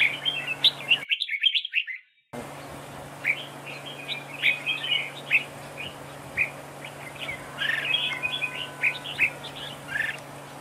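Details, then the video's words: Red-whiskered bulbul duel singing at a trap, used as a decoy: a brisk chattering phrase, a sudden cut, then a string of scattered bright chirps and warbles over a constant low hum. "Bẫy đấu chào mào cực đẹp, hót cực hay"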